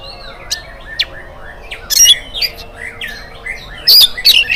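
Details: Morning song of an oriental magpie-robin, used as a lure to get other birds singing. Soft whistled slurs build into loud, harsh, scratchy bursts near the middle and end of the stretch.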